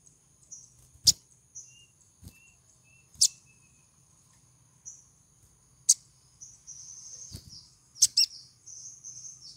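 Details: Olive-backed sunbird female in breeding condition, calling to lure a male: sharp, very high chips at irregular intervals with faint short high notes between them, over a constant thin high whine and low rumble.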